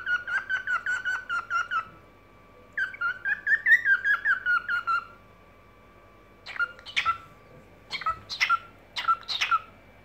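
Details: Evening singing from a pet cockatiel: clear whistled notes in rapid strings, then a warbling phrase, then spaced pairs of sharp chirps with quiet gaps between.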